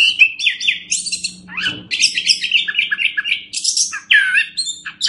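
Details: Master recording of orange-headed thrush for teaching other birds: dense, fast run of whistled and buzzy notes and sweeping slurs, phrases packed closely together, with a steady low hum underneath.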